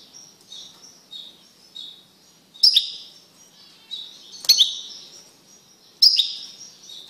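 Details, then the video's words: Male goldfinch, kept caged and separated from a female canary after pairing, gives soft high twittering notes broken by three sharp, brief loud chirps spaced about two seconds apart. "تغريد قوي لذكر طائر الحسون بعد عزله عن أنثي الكناري"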